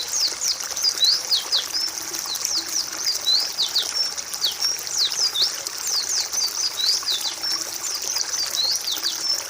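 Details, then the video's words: Training song of a white-eye (pleci) for tutoring other birds: sustained high twittering, sharp down-swept notes packed closely in an excited, nonstop warble. "Masteran pleci malas bunyi"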